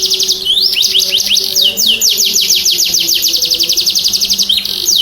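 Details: Canary in full song, used to stimulate silent canaries: dense, bright, very high trill of quickly repeated falling notes, nearly continuous for five seconds.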